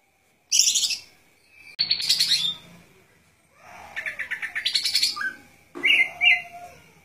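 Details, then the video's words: Golden-fronted leafbird singing loud, varied bursts of rapid chattering and whistled notes, high-pitched and mimic-like, in four phrases separated by short pauses. "Good Performance of Golden Fronted Leafbird"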